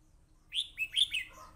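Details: A red-whiskered bulbul sings during a fight, giving four quick, loud, clear whistled notes in about a second, each briefly sliding up then down, and the last trails off lower.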